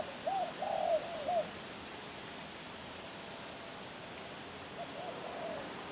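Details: Spotted dove giving a brief run of three quick hollow coos at the start, then only steady background hiss with a faint low murmur later.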